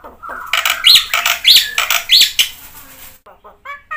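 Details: Gacor black-winged myna song full of 'isian' fill-ins, to prompt silent birds: loud scratchy chatter with three up-and-down whistled squeals, followed by soft short nasal notes.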